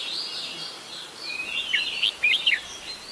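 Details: Adult red-whiskered bulbul in Ubon Ratchathani, Thailand, 16 December 2020: a few bright, quick chirping notes near the end rise over a steady background chorus of other birds.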